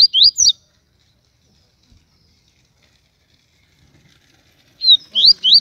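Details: Papa-capim baiano (Yellow-bellied Seedeater) from Aracaju, Sergipe, singing the TUI TUI style, loud and strong: a brief burst of high rising whistles, about four seconds of silence, then another run of three sharp upslurred notes.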